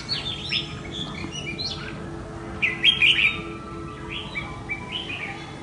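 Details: Red-whiskered bulbul that got loose and came back to spar with a decoy bird; scattered chirps early, then a louder bright warbled burst midway and a few softer notes after, with constant low hum.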